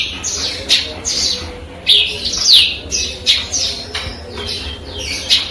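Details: Tree sparrow tutored on canary and cigun material sings sharp high downward-sweeping notes in a quick uneven sequence, each chirp loud and clear against a low background hum.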